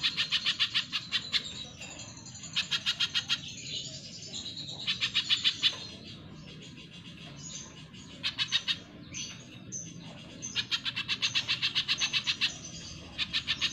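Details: Spiderhunter (pijantung pisang) singing vigorously for a cage-bird training recording: repeated one- to two-second bursts of rapid, harsh chipping notes, spaced by short quieter intervals, with faint low hum beneath.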